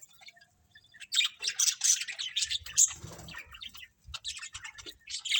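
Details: Budgerigars in a colony chatter almost without pause: dense, overlapping high chirps and squeaky warbles, some louder squawk-like notes, with a low rustling thump in the middle.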